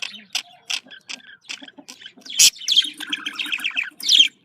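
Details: Budgerigar contact calls: spaced, clipped high chirps at first, then a loud squawk followed by fast, burbling warbled chatter.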